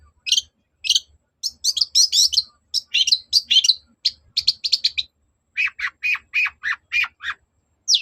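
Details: Long-tailed shrike lure song to make other shrikes reply: spaced sharp chips speed into dense chattering clusters, then a run of six lower, harsh rasping notes about half a second apart, ending in a high squeak.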